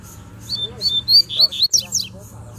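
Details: Territorial song of a wild double-collared seedeater in the bush, calling to fight: several clear whistled notes climbing in pitch, then sharp downward swept strokes, with soft background hum.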